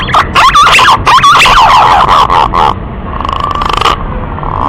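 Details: Green pigeon male calling for a female: loud, fluttering whistled notes that bend up and down, followed by a rapid buzzy trill and a faint steady hum.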